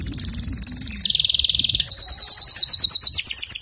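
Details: Canary trilling rapidly at high pitch, one steady rolling trill stepping down to a lower one, then jumping to a brighter, faster series of slurred notes.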